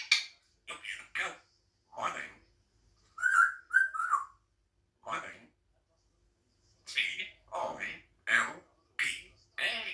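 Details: African grey parrot kept as a pet, at a window eating grapes, chatters in short speech-like phrases. A pair of bright whistled notes sits mid-way, followed by a quick string of clipped, word-like syllables.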